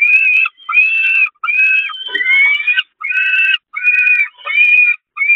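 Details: Peregrine falcon begging while being fed on the nest grating of the Catharinakerk, 11 May 2021: shrill, harsh, slightly wavering wails repeated about every 0.7 seconds, one longer rising cry in the middle.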